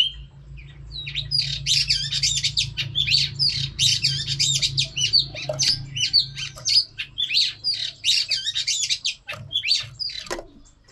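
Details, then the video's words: Female Oriental magpie-robin singing, used to train birds to sing: rapid high varied phrases of whistles, chirps and trills, continuous and jumbled, over a steady low hum. "Choè than mái kích trống hay nhất"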